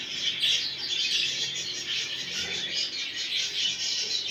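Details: Budgerigars chattering to prompt a male to mate: an unbroken wall of high, fizzy warbling and chirps from several birds, with no clear pauses and a faint low hum beneath.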